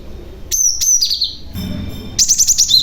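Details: Cinereous tit, young bird, calling to lure other tits; a thin high note slurring downward, a brief pause with a faint low hum, then a fast stuttering run of five or six sharp chirps.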